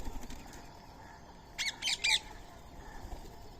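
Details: Pet Indian Rose-ringed parakeet (ringneck) at daily feeding time on soaked rice and corn, beside a squirrel, giving three quick, harsh, screechy notes within about half a second over a low background hiss.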